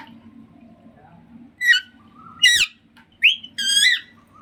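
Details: A pet Alexandrine parakeet just over one year old, learning to talk, gives four loud, harsh squawks with whistled overtones about a second apart, over a low background hum.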